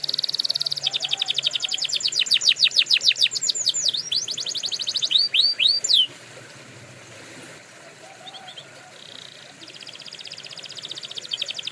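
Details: Canary singing for canary training: loud rapid rolling trills and a few deep swooping whistles for six seconds, then near quiet with faint distant trills.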